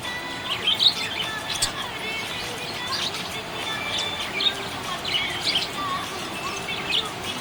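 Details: Chirping from a happy budgerigar: quick high chirps and twittery notes scattered through, a few standing out louder, set against a low steady hum and faint sustained tones.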